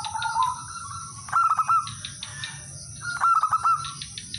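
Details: Male zebra dove, local type, calling rivals as a lure that sets other birds singing; repeated stuttering bursts of four or five rapid coos, a lower coo leading in, over steady background hiss.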